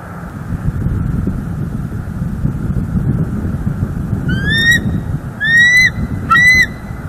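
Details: On a December day in Northeast Florida, a wild pair of bald eagles sits at the nest under a live camera. Three sharp, upslurred, harmonic-rich notes come in the last seconds after a stretch of low background rumble.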